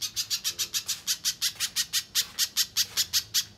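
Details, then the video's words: Little spiderhunter, gacor song used for luring and training contest birds: a brisk series of around seventeen high, harsh chips over three and a half seconds, loud and slightly uneven in spacing. "Pijantung Pisang Gacor, Masteran Burung Lomba"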